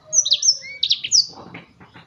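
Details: Agitated black-throated bird singing quickly, high sweeping whistles and sliding notes in short bursts, ending with softer scratchy sounds and faint background hum.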